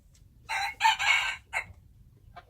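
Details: A short, harsh wild chicken crow broken into three quick loud bursts, then a brief final note, over a low background hum.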